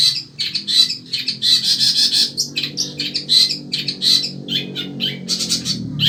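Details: Long-tailed shrike, sembur variety, a caged Indonesian songbird still singing in scorching heat: dense, harsh, scratchy chatter mixed with high squeaky notes, almost unbroken, with a low steady hum underneath.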